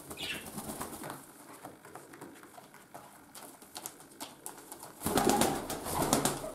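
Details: Pet domestic pigeons kept indoors during mating give low, soft cooing with irregular rustling, then a loud burst of wing flapping near the end.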